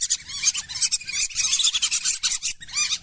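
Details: Lesser whistling duck lure recording meant to draw wild birds in rice fields, swamps and wetlands: a busy chorus of thin whistled notes, many sliding downward, overlapping in quick succession with no pause.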